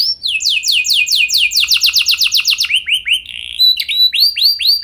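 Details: Canary song played to get other canaries singing, 'lagu mewah' style: a rapid run of descending slurred notes, about five per second, followed by a chain of short rising-and-falling swoops.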